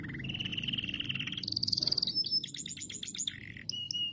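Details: Canary singing to prompt other canaries into song: a long even high trill stepping up in pitch, followed by a fast rattling roll of clipped notes, brief whistles and a short buzzy phrase; low background hum.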